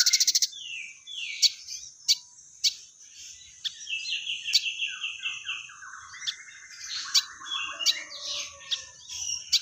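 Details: Crested jay, called sogon locally, in full chattering voice with fighting-sparrow phrases: a brief rattle, then sharp chirps at irregular intervals woven through dense twittering, chattering runs and falling trills, over a steady high hiss.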